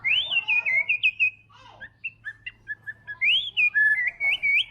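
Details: White-rumped shama, murai batu trotol, sings varied phrases: swooping whistles, then a set of short clipped notes, then another loud rising whistled run.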